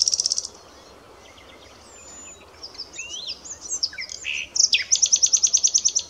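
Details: Common nightingale singing: a fast buzzy trill opens, then scattered thin whistles and sweeping notes, ending in a loud, rapid, evenly repeated series of rich notes at about three per second.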